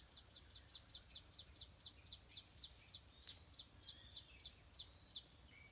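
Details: Stripe-throated bulbul chick begging in the nest while being fed: a steady run of sharp, high, downward-slurred chirps, about four each second, over a faint background hiss.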